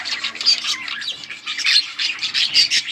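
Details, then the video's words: Yellow budgerigars, recorded August 20, 2024, produce dense, high-pitched chattering: rapid chirps, squeaky whistles and raspy warbles blending into a constant twitter. "Beautiful yellow budgies chirping sounds 💛 budgies talking"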